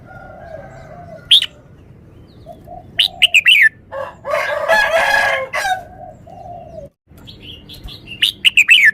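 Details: Red-whiskered bulbul repeating short, clearly accented song phrases of quick downslurred whistles, several times over, with a rooster crowing loudly between the phrases and a steady background hum.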